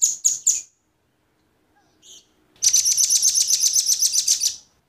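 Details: Velvet-fronted nuthatch, male and female, used as a lure for wild birds: three quick high chips, a faint note after a pause, then a dense, rattling high trill lasting two seconds.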